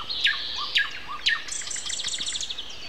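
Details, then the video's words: Common nightingale heard at 7:55 on a Sunday morning, April 29: three loud, sharply falling whistled notes about half a second apart, then a quick stuttering series of high repeated chips. "Morning concert. Nightingale and Со."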